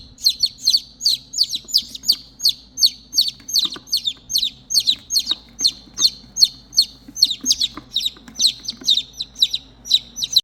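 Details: Continuous shrill peeping from three chicks who lost their mother hen, with descending chirps tumbling out two to three per second, sometimes doubled, over a low steady hum.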